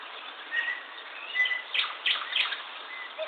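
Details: Short bursts of bird chirping, a few sharp downslurred notes in quick succession over a faint hiss.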